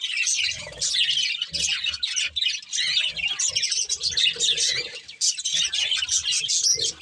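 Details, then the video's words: Budgerigars, a breeding pair, chirping while eating: dense warbling chatter of rapid high chirps and squeaky notes, nearly continuous, with faint low thumps beneath. "Beautiful Budgies Chirping Sounds"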